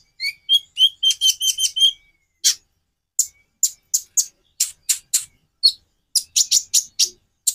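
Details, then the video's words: Konin singing a varied song: a run of clear whistled notes stepping downward, then a long series of sharp, high, evenly spaced chips. "Variasi kicau burung Konin"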